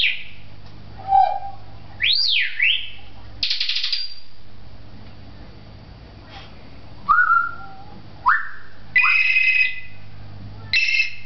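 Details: Pet-shop African grey parrot from Beit Hanina, Palestine, known as a talker, whistles a varied sequence: a swooping up-and-down whistle, a harsh buzzy burst, short falling whistles and two bright rising whistled phrases, separated by short silences.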